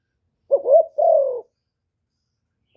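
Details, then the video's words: A single one-ending phrase from a decoy spotted dove meant to provoke wild birds: two quick rising coos lead into a longer, smooth, gently falling coo. Silence follows until the next phrase starts. "TIẾNG CHIM CU GÁY 1 HẬU RÒNG BỔI CỰC GHÉT, CU GÁY KÍCH BỔI CỰC CHẤT"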